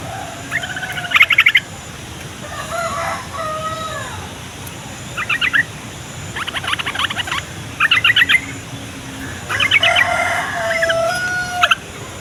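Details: Yellow-vented bulbul song, used to draw young and wild bulbuls to answer. Bubbly, gurgling phrases of quick buzzy notes come in bursts every one to two seconds, some phrases rising and falling, over a steady background hiss.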